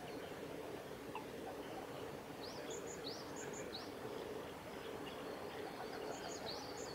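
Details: Red crossbill, a male, recorded 14 April 2018 at Kawaguchiko Field Center in Japan, giving brief rising kip-like notes in small clusters, some doubled high dots, against constant rumbling ambient noise.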